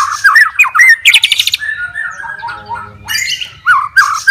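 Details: Fighting white-rumped shama seeking a rival, delivering low warbled phrases, a dense harsh rattle, soft wavering notes and short chattering bursts.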